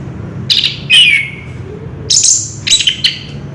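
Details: Orange-headed thrush song in the ngerol style, recorded 3 March 2016: a few spaced bursts of buzzy high notes and a falling whistled slur, with short pauses between phrases and a low hum behind.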